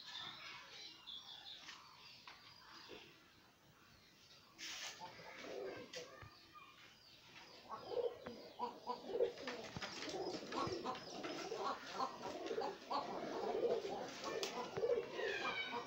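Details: Many pigeons kept in a loft coo together in low, rolling, overlapping calls, with wing flutters and chirps among them.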